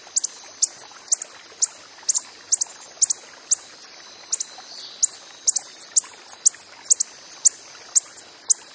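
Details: A wild coppery-headed emerald repeats bright, high-pitched chips about twice a second, sometimes doubled, over a quiet hiss.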